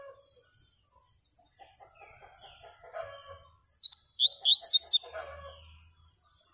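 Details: Yellow-bellied seedeater, known locally as baiano: soft high repeated notes give way to a loud burst of rapid sweeping whistled notes, then fainter twittering, with low clucking sounds in the background.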